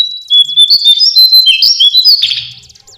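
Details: Lesser shortwing (cingcoang coklat) pouring out a loud, fast, high-pitched warble of jumbled whistles and trills, fading at the end.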